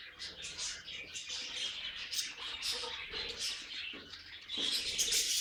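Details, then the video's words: Group of pet budgies warbling, a stream of chattering chirps and scratchy notes that grows louder and busier in the final second. "Budgies Singing and Being Cute"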